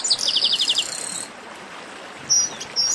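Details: Chestnut-capped blackbird, part of a baderna chorus, giving a rapid series of bright, sharp repeated notes, then a pause and two short, thin high whistles.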